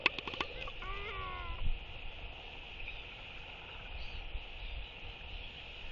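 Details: Northern royal albatross courtship display with a group of four birds socializing in the evening, 23 October 2023: a burst of sharp clacks, then a short wavering harmonic moan, fading into wind noise.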